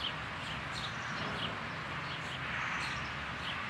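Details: Eurasian tree sparrow at a roomy nesting hole, 12 May: high, clipped chirps coming every half second or so in a loose run, set against a steady hum and faint outdoor noise.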